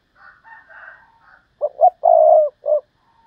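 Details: Thúc Lợi Cốt call of a decoy spotted dove. A faint, higher bird sound comes first, then two quick low coos, a long sustained coo and one short closing coo.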